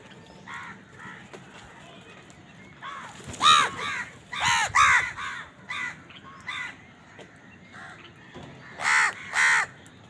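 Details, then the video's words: Crows eating and fighting for food, house crow caws in bursts: quiet scattered calls at first, then a loud run of harsh nasal caws in quick succession, a pause, and a final loud pair. "Crow Bird Eating Scenes | Crow bird crowing sound part 88 | Bird Chirping Sound | Crow ki awaz"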